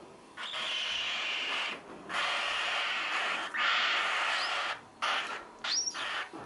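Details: Young hand-reared cockatiels moments after being fed give long, harsh, hissing rasps in repeated bursts, with one brief rising whistle near the end.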